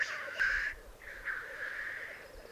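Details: Black grouse displaying at a lek in the Piedmont Alps, Italy: two drawn-out harsh hissing sneezes, the second longer, over a faint low bubbling murmur.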